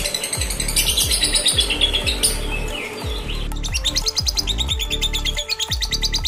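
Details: Lovebird, male or female, with a tune said to promise konslet long singing: fast high twittering and chirps, louder and more clipped in the second half, over prominent background music with a steady beat.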